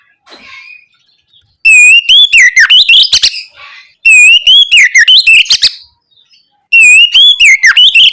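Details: Oriental magpie-robin singing full ngeplong song as a lure for young birds to respond. Soft chirps at first, then three loud phrases, each a clear rising whistle followed by hurried twisting notes and clicking bursts, with short quiet gaps.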